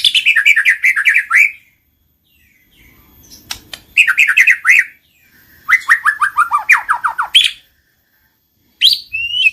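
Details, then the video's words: White-rumped shama song meant to make a silent shama respond and sing: three bursts of rapid descending chirp series, each about a second and a half long, separated by quiet gaps, ending with short high whistles. "PANCINGAN BURUNG MURAI BATU MACET BUNYI SEKALI PUTAR LANGSUNG NYAUT BUNYI AMPUH BIKIN GACOR"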